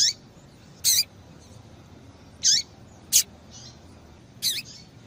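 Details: Female double-collared seedeater calling, used to stimulate males to sing: short, sharp notes sweeping steeply downward, given about every two seconds, with brief broadband clicks between them over a faint steady hiss.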